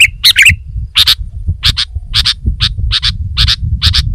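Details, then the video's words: Sooty-headed bulbul begins with a warbled twitter, then repeats crisp doubled chip notes about every half second, with low rumbling noise underneath. "Kicau Burung Kutilang Gacor"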